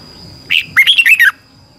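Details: Red-whiskered bulbul training song for a caged bird: one brief note, then a fast, bubbling phrase of whistled notes that step up and down, lasting about half a second.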